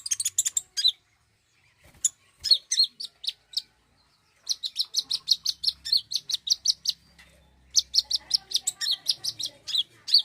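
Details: Common iora song serving as a lure to make birds sing: fast bursts of sharp high chirps, a few scattered single notes, then long rapid runs of evenly repeated bright chips.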